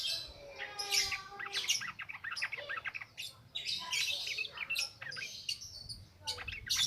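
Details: Yellow-vented bulbul, ngropel ngalas song used as a lure for newly caught birds: quick burbling notes and short rising whistles tumble together in busy, uneven bursts over a faint hiss.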